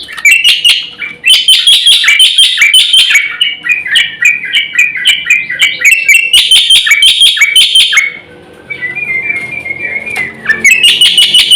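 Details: Black-winged myna giving rich, continuous song for luring and tutoring trained birds; dense chattering with many short whistled notes runs for several seconds, then a steady thin whistle, then loud chatter resumes.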